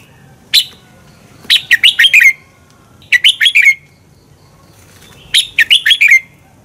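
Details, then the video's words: Training song of a red-whiskered bulbul, in the double-twist style, played to stimulate rival birds to sing: a lone sharp note, then three quick bursts of chirpy, slurred whistles falling in pitch, evenly spaced. "Luyện chào mào hót sáng Giọng xoắn kép hay KÍCH CHIM CĂNG HÓT ĐẤU, luyện chào mào căng lửa"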